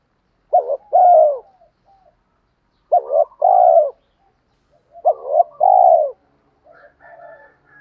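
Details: Spotted dove coo used to urge wild doves to call back: three phrases about every two and a half seconds, each a quick quavering note then a mellow drawn-out coo, faint soft notes after.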